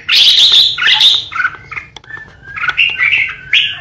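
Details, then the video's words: Captive decoy red-whiskered bulbul singing the shrill 'ché' song meant to threaten rivals: a continuous rush of loud, high whistles and rapid bubbly notes without pauses. "Chào mào mồi hót ché đỉnh"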